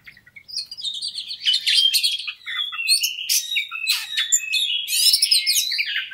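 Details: Energetic white-rumped shama song for stimulating a fighting bird: dense high warbling with sharp clicks, buzzy chatter and mimicked-sounding whistles, building steadily across the clip.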